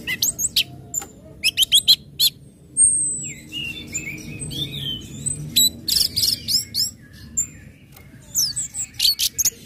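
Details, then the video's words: Orange-headed thrush singing in the ngecip, ngecit and ngeplong style meant to make other birds join in: dense bursts of very high chirps alternating with longer slurred whistles and descending warbled notes, many repeated rapidly. "SUARA ANIS MERAH NGECIP NGECIT NGEPLONG PEMANCING BIRAHI AGAR IKUT BUNYI"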